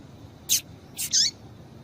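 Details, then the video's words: Female rusty-collared seedeater, a piadeira, calling to excite a male; two short high chirps half a second apart, the second with a falling, slurred tail, over a quiet background. "Fêmea de Coleiro Quente piadeira Para Esquentar coleiro"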